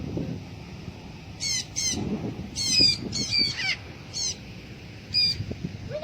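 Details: A Blue-backed parrot kept for free flight gives harsh, grating squawks in short bursts, about six over several seconds, some of them doubled, over a low background rumble.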